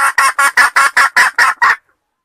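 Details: Red junglefowl luring sound of eight harsh, rasping clucks in a fast, even series lasting under two seconds, then silence.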